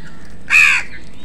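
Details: Crow contesting food with other birds, giving one loud, harsh, raspy caw lasting about a third of a second against a low steady hiss.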